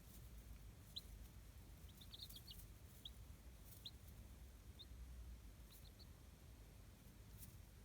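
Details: Local-breed chicks in a self-made brooding box at a small free-range poultry project in Hiroshima Prefecture, Japan; scattered thin high peeps, singly and in brief bursts, over low rumbling hum and faint rustles.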